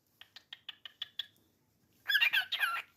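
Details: Pet cockatiel calling indoors: six short bright chirps in quick, even succession, then a pause and a loud, harsh, grating squawk lasting under a second.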